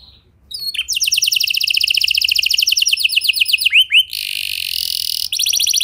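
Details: Canary song used as pancingan to get other canaries singing: a quick, steady high rolling trill, two swept notes, then a hissing buzzy passage and another trill.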